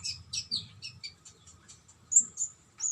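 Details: Konin bird singing in a lively style described as terotol ngobra: a quick run of high, chirpy twittered notes, then sharper, drawn-out whistled notes near the end, with a faint low hum beneath.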